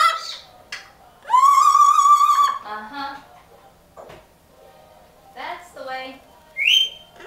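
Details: Pet parrot singing indoors: a long, steady whistled note held for over a second, then shorter wavering tones and a final high rising whistle, with quiet pauses between phrases.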